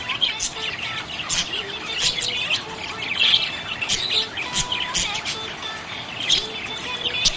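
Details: Budgie chirping in a happy mood: busy warbling chatter of squeaks, clicks and short whistles, swelling and fading in waves throughout.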